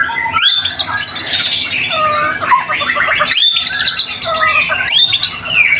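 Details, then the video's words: White-rumped shama in 'gacor' singing, used to stir other shamas to sing; bright, very high-pitched rush of chirps, trills and clear whistles, broken by two brief harsh bursts. "Murai batu gacor AMPUH buat PANCINGAN murai batu agar bunyi LANGSUNG NGEPLONG"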